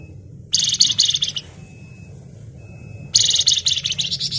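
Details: Flamboyan bird delivering tight ngebren chatter: a fast, high-pitched, rattling burst of almost a second, a pause of under two seconds, then another shrill run, over a low background rumble.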